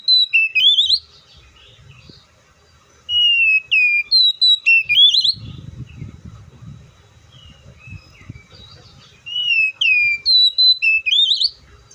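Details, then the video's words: Oriental magpie-robin in full song, pouring out rapid bursts of sweet whistled and warbled notes with short pauses between them, over a soft low rumbling background. "THE BIRD COPSYCHUS SAUCARIS VOICES MUCH LONG LIKE IN NATURE!"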